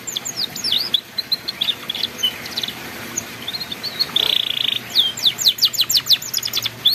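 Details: Canary delivering ngeriwik song as a master recording for learning youngsters: scattered chirps and slurred whistles, a short buzzy note midway, then a fast series of sharp repeated trilled notes.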